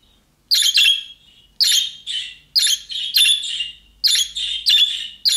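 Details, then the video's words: Budgerigar giving young birds' calling-style calls that other budgies answer at once; about eight short, harsh, scratchy chirps in quick bursts, some paired, with brief gaps between groups. "MUHABBET KUŞU SESİ Kuşunuz Bu sese Karşılık Verecek Kuş Sesi"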